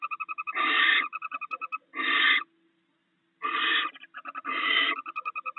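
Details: Barn owl pair at the nest, sharing rats brought in overnight: four loud rasping hisses with rapid rhythmic ticking between them and one clear silent gap of about a second.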